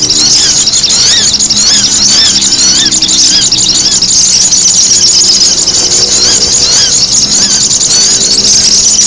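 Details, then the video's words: Sogon calling noisily, recorded for luring: constant high squeaky chatter with quick rising and falling notes, over a low humming drone like an engine. "SUARA SOGON RIBUT UNTUK PIKAT"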